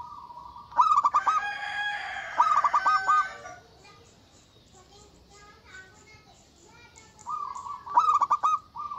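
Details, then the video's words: Local zebra dove with a big voice, calling to provoke rivals. Short bursts of stuttered pulses trail into warbles. A rough, broad burst of other sound overlaps early on, then the quick pulsed phrase returns at the end. "Suara Burung Perkutut Lokal Gacor Suara Besar Ampuh Memanggil Lawan Bunyi Emosi"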